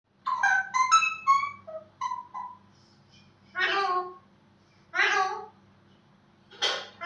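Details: A talking parrot indoors gives a quick series of voiced, speech-like syllables falling in pitch, then three harsh, broad screeches spaced about a second and a half apart, over a faint steady hum.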